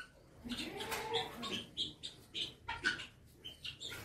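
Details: Helmeted guineafowl in a village at Upleta, Rajkot, Gujarat, give harsh, grating, cackling notes, repeated about every half second in an uneven run, with a faint background of other birds.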